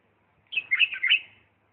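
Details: Short warbled phrase from a Diyala bulbul in 'lisanat' style: several rounded, throaty notes bunched together, rising slightly and then trailing off softly.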